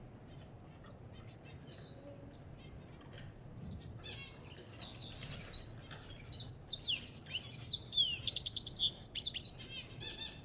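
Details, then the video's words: African goldfinch song that starts with sparse, scattered chirps, then swells midway into a dense, lively twitter of trills and buzzy, sliding notes that runs to the end. "اسمع صوت الحسون الافريقي"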